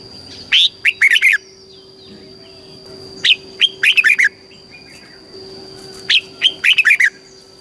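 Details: Thai red-whiskered bulbul repeating its southern master style song, played to excite caged birds and coach young ones: three crisp phrases of four to five rising and falling whistles, about three seconds apart, soft chirps between.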